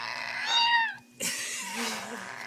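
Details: Caged amazon parrot refusing to go to bed, mimicking a complaining cat: a drawn-out, harmonic meow-like wail, followed by a harsh noisy burst and softer wavering sounds in a small room.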